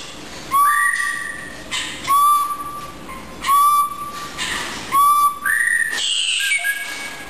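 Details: Research blue jay held in a lab repeats paired whistles, a steady lower tone followed by a higher one, about every one and a half seconds, four times, then a noisy burst with a fainter high note.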